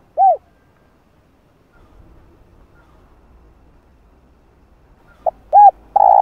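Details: Spotted dove calling on a lure recording meant to excite wild doves into cooing. A single arched coo is followed by a long quiet stretch with faint low rumble, then a short note, another arched coo, and the start of a longer coo.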